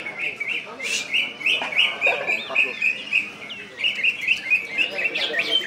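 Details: West Kalimantan (Kalbar) greater green leafbird in 'gacor' song, 'ngentrok' and 'nembak' styles. A fast string of short, rolling high whistles repeated about four times per second, pulsing in waves, with faint voices behind.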